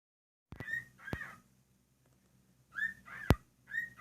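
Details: A 7-year-old rescued pet cockatiel, being re-tamed and only now talking again, speaks short, whistly, speech-like phrases that rise and fall, like "pretty birdie", broken by a few sharp taps.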